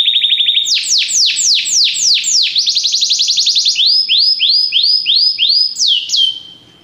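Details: Varied Belgian canary training song: a short low trill, a run of falling sweeps, a fast rolling trill, then a series of rising-and-falling swoops and a final long downward glide.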